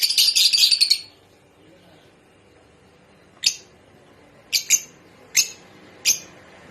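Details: Mating call of rosy-faced and Fischer's lovebirds, intended to stimulate breeding: a one-second burst of rapid buzzy chatter, a quiet gap, then five short, shrill chirps, two of them close together.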